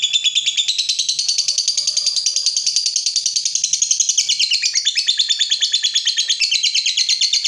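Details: Long ngekek from a provoked fighter lovebird: a continuous, rapid, scratchy trill of even beats, shifting slightly in pitch, with a faint low murmur in the background.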